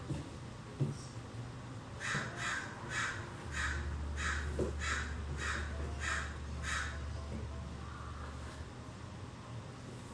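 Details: Several American crows calling in a California backyard, heard from indoors: about nine hoarse caws in a quick irregular series, then quiet, over a steady low hum in the middle of the recording.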